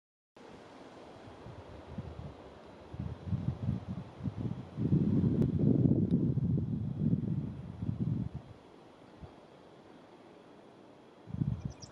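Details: Low, rumbling wind buffeting the microphone in gusts, with no bird or other animal voice audible.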